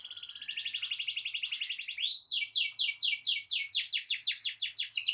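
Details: Vigorous canary song meant as a tutor to get silent canaries singing: a sustained buzzy rolling trill, a brief rising whistle, then a rhythmic series of rapid downslurred notes repeated about three times per second.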